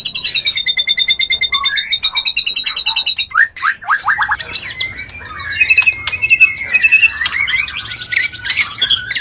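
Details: White-rumped shama mating song for stimulating breeding: a rapid, evenly pulsed high rattle lasting several seconds, then a burst of short notes and varied twisting whistles.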